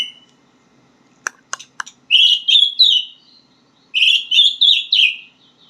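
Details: White-rumped shama practising song: a brief whistle, three sharp clicks, then two bursts of clear, slurred whistled phrases separated by a short silence.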